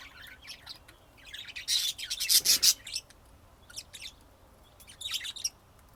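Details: Kept budgerigars in Texas, USA, chirping in quick bursts, with a loud stretch of harsh, rasping, scratchy sound in the middle before lighter chirps resume.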